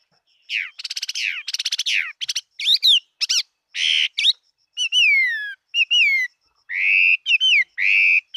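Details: Singing Chinese hwamei of the fighting type, 2018: opens with fast buzzy rattling trills, then shifts to loud ringing whistles, some sliding down, others held and looping, with a thin steady high tone in the background.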